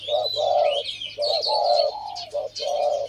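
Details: Two caged male Spotted Doves, two years in the cage and ready for training, cooing together; one has a deep voice, the other a medium voice. Loud mellow coo phrases repeat in quick groups, with a higher chirping bird behind.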